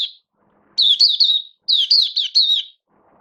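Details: Captive oriental white-eye recorded 19 September 2022. A brief tail note is followed by two dense phrases of quick, high-pitched chattering warbles, each about a second long, with only faint low murmuring behind.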